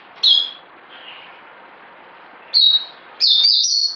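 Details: High whistled notes from a bird: a single short call, another after two seconds, then a longer bright, slightly wavering phrase at the end, against a quiet background.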